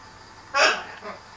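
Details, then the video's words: Pet macaw talking back while arguing with its owner indoors, one short loud harsh raspy burst lasting about a quarter second, amid a person's scolding speech and low room hum. "Arguing parrot"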